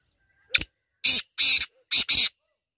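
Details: Kala teetar, the black francolin, giving its call: a thin opening tick, then four loud rasping notes in two closely spaced pairs, lasting under two seconds against silence.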